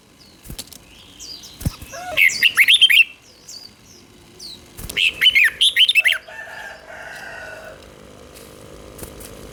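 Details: Red-whiskered bulbul, Thailand, singing the southern master-style song meant to excite caged birds and train chicks: two bubbling phrases of fast, up-and-down whistles, with clicks and soft background whistling around them.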